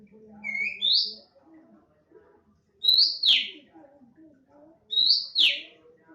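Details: Oriental magpie-robin, an untrained bird that has begun singing regularly, in loud 'nembak' song: a short rising whistle, then loud sweeping whistled notes that rise and drop sharply, about every two seconds, over faint low background chatter.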